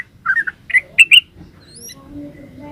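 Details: Short yellow-vented bulbul phrase: a few gurgling slurred notes climbing in emphasis, then quiet with a faint thin whistle and low background hum.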